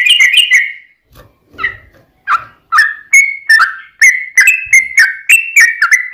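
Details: Yellow-vented bulbul fighting song played to provoke rival bulbuls into answering; it opens with a harsh chatter and scattered softer notes, then settles into a quick, regular train of whistled slurs.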